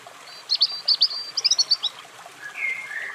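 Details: European robin with a short burst of high, sharp, tinkling notes, followed by a lower drawn-out whistle. Soft steady background hiss like running water.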